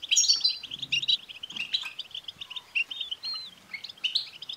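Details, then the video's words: European goldfinch twittering meant to trigger a male goldfinch's song: bright rapid chirps and trills, loudest at the start, over a soft background hiss with faint low rumbles. "بتبتة لتحفيز الحسون سوف يكسر القفص لأن دكر الحسون لن يصمت دقيقة واحدة بعد سماع هده البتبتة"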